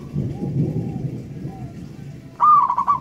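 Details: Loud-voiced local zebra dove (perkutut). After a stretch of low rumbling noise, one brief, pulsed cooing phrase comes near the end.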